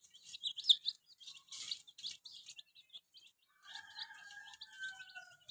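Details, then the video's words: Baby chickens dyed in bright colours chirp in quick, high, short peeps through the first half. A steady, faint tonal whine joins in the second half while the play with a remote car and balloons goes on. "Witty Murgi baby " chicks chirping" Sound"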